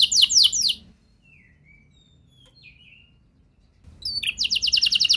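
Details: Canary song meant to prompt other canaries into singing: a burst of fast descending trilled notes, a quiet gap with a few soft thin whistles, then the rapid rolling trill resumes.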